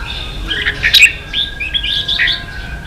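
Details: Red-whiskered bulbul singing in the 'ché' style for training young birds: a short run of bright, clipped whistled notes and chirps, loudest around the middle, over a low steady background hum.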